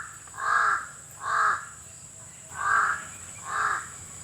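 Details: A crow gives four rasping caws in two pairs separated by a one-second gap. Each call is harsh and slightly nasal, over a faint steady high tone.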